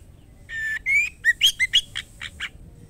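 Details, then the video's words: Female white-rumped shama, or murai batu, calling the male. Two drawn-out whistles are followed by a fast run of short rising whistles and rasping chips that fade toward the end. "murai batu betina gacor memanggil jantan white rumped shama"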